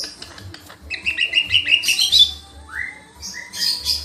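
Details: Lesser green leafbird in full, energetic song: quick chattering notes give way to a burst of bright twitters, then two clear upslurred whistles and a final high chirping flourish.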